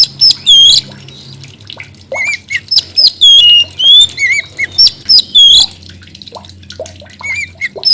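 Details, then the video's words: Oriental magpie-robin in 'gacor' song delivers a long, busy series of ringing whistles, upslurs and downslurs, interspersed with lower warbled notes, repeated in quick bursts almost without pause for most of the passage before thinning out. "coba mp3 kacer gacor ini"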